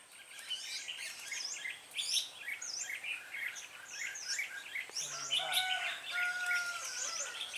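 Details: Red-whiskered bulbuls at a trapping site on 26/12/2016, a female used as a lure. Dense overlapping chirps and short sliding whistled notes run throughout, with a brief low human voice near the five-second mark.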